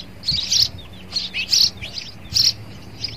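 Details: Sparrow attacking its reflection in a mirror: loud, harsh chirps in short bunches about every second, some with quick descending notes, over a low background hum.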